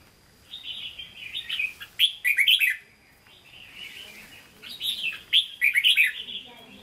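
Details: Red-whiskered bulbul kept in a cage, singing Hue style: long warbled phrases that build into rapid sharp whistled notes, two such phrases about three seconds apart.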